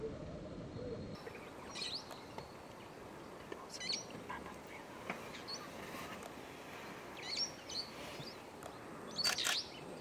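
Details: Meyer's parrots gathering at a mud lick shortly after sunrise to eat mud, sometimes up to 200 birds, give short, shrill, screechy calls every couple of seconds over a soft, steady background hiss.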